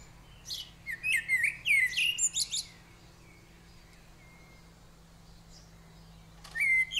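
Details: At a nest in a hand-made ceramic head, Eurasian blue tits are fed: a lively run of high, squeaky, wavering chirps for two seconds, a long quiet gap, then another short chirping burst.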